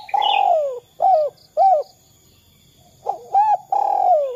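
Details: 'Kuk 2' style call of a spotted dove, used as a lure for other doves. A long downward-sliding coo opens, then two arched hooted notes. After a pause the phrase repeats and ends on another long falling coo. A brief higher chirp sounds at the start.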